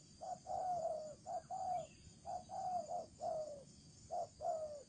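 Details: Spotted dove kept as a decoy bird, giving its thổ trần style cooing: mellow, hooting low notes, each short coo followed by a longer slurred one that falls slightly, about eight notes in pairs over five seconds, faint steady hiss behind.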